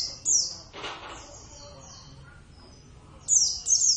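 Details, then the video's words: Oriental white-eye of the Javan subspecies, Zosterops palpebrosus javanus, a kept bird raised from a young age, sings actively: high, thin, fast descending chirps in short bursts, one near the start and two close together at the end. "plecit gacor"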